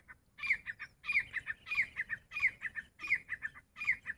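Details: Grey francolin, locally called teetar, calling: loud, harsh, clipped phrases of three or four quick notes at a similar pitch, repeated steadily about every two-thirds of a second with no pause.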